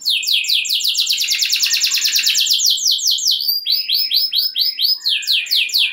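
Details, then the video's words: Rolling canary song, played to excite other canaries into singing: a run of rapid downward-sweeping notes, about two per second, then slower looping syllables and high chips, all continuous. "Kenari Gacor Ngeroll Nembak Joss! Buat Naikin Emosi Kenari Lain Biar Gacor Ngedur Ngerek"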